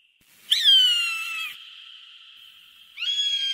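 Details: Two shrill hawk screams, used to scare birds: the first falls steadily in pitch and leaves a long echo, and the second, flatter call begins near the end.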